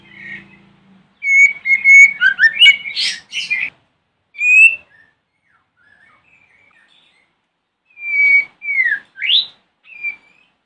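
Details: In the morning, a white-rumped shama sings to provoke other shamas to answer: a long run of whistled and harsh chattering notes, then after a silence a few separate rising and falling whistles.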